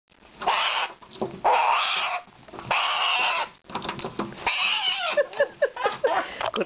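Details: A pet bare-eyed cockatoo (Little corella) during its morning routine of playing, yelling and flapping gives three long, harsh, raspy screeches, then shorter squawks and chattering; a person seems to speak nearby.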